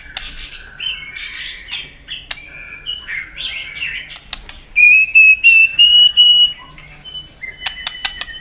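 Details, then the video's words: A white-rumped shama in fighting song, flicking its tail to provoke a rival: soft jumbled warbling, scattered clicks, then a clear sustained whistle broken into pulses before more clicks. "chòe Lửa đập đuôi tạch kích căng, kích Chòe Lửa hót đấu căng lửa.chòe Lửa hót giọng dài"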